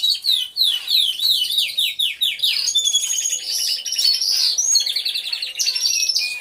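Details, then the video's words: Canaries singing together in an aviary, recorded with a hidden camera: opens with a run of quick descending chirps, then dense high trills and rolling repeated phrases from many birds. "CANTO DE CANARIOS | AVIARY SOUNDS (SONIDO REAL DE UN AVIARIO DE CANARIOS)"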